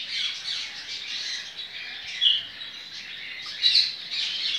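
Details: Captive-bred double-collared seedeater, coleiro baiano song style, 23 November 2019. Rapid, slightly hoarse chattering phrases, with two louder, sharp, clipped notes standing out near the middle and the end.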